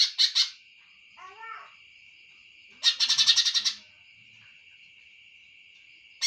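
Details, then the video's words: Short scratchy notes, then a soft descending twitter, then a second-long burst of rapid loud chattering from a greater green leafbird, all over a continuous high-pitched whine. "cucak hijau"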